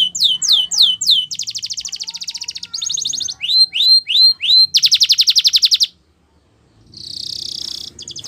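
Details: Singing canary, a champion song for training, delivering varied phrases: falling slurred whistles, a buzzy rapid trill, rising slurred notes, a dense rolling trill, then a brief silence before a noisy rattling trill resumes.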